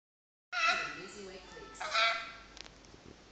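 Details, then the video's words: Talking pet rainbow lorikeet saying "hello" twice in a hoarse, nasal voice about a second apart, followed by a few soft clicks in a quiet room. "Talking bird...Hello hello sooky rainbow lorikeet"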